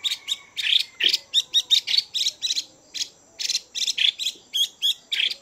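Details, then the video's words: Captive female Chinese hwamei stimulating males with a continuous series of scratchy, rapid chatter notes, about four per second, strong and unbroken throughout. "Chim Hoạ Mi Mái VIP Chùi Kích Bổi Căng Lửa Mái Gột Chiến."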